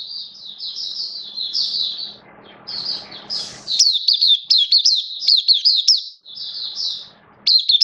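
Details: Pet oriental white-eye from the bird hobby, recorded 11 September 2022, sings a flowing run of high twitters, pauses briefly, then bursts into rapid, sharply bent notes in close series.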